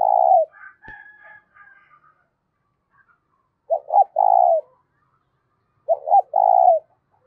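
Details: Loud spotted dove cooing used to stir up decoys. One phrase ends as another bird chatters higher, then two complete phrases follow, each a doubled short hoot and a sustained rolling coo, plus a single click.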